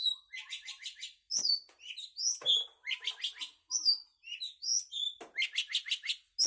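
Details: Long-tailed shrike in full song, a rapid run of harsh, high chattering notes and buzzy phrases, with short bursts repeated in quick series and brief squeaky whistles between them.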